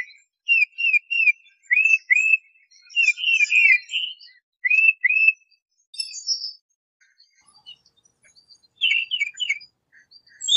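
A tufted titmouse whistles clear two-part 'peter-peter' phrases, repeated in quick runs of two or three, mixed with a few higher chips and buzzy notes.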